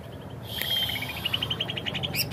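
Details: Greater green leafbird (cucak ijo) giving a jamtrok wik wik phrase: a steady run of quick repeated high notes that speeds up slightly, over constant low background noise.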